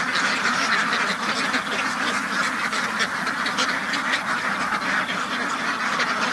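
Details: Ducks kept on a farm call together in a thick, unbroken mass of nasal quacking.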